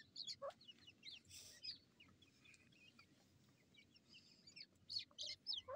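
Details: Grey francolin chicks fighting, from a breeding programme: thin, high-pitched peeps and squeaky chirps in quick irregular bursts, clustered near the start and end with a quieter middle, over a faint low background hum.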